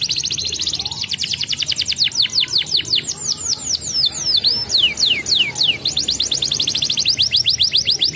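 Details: Canary song played as a lure to get young canaries rolling quickly: high, rapid trills of repeated sweeping notes, some descending slurs in the middle, then dense fast rolls again, over a low background hum.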